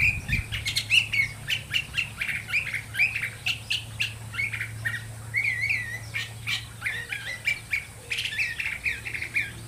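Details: Song of a curve-billed thrasher, called pitacoche or huitlacoche, a continuous jumble of rapid chirps, clicks and whistled slurs repeated in lively bursts, over a faint low drone.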